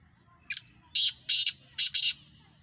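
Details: Harsh, grating call of a black francolin in Sindh, Pakistan: one short note, two drawn-out rasping notes, then a quick short-long pair, all loud over a faint low hum.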